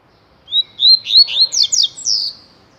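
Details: Rusty-collared seedeater, known locally as coleiro tui tui, singing a short phrase of clear whistled notes that climb into a quick run of sweet, sliding chirps, then one falling slurred note; background quiet.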